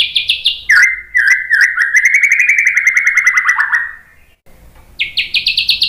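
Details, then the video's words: White-rumped shama song used to provoke other birds into singing: fast rattling trills near the top, then a long buzzy run of repeated notes slowly sliding lower, a brief hush, and another high rapid trill. "MASTERAN MURAI BATU biar EMOSI NYAUT jadi GACOR BONGKAR MATERI TEMBAKAN ¦ PANCINGAN MURAI"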